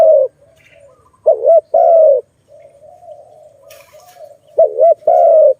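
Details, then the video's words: Malay dove at a forest trapping site, calling in low mellow coos: a pair of quick wavering notes followed by a longer drawn coo, given twice, with soft continuous cooing in between. "Lovely dove- Video lovely Malay dove, Sound of good dove"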